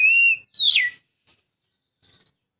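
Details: Oriental magpie-robin song phrase, used to stir a silent bird to sing: one long, steady whistle followed by a loud downslurred note, then a faint, brief chatter.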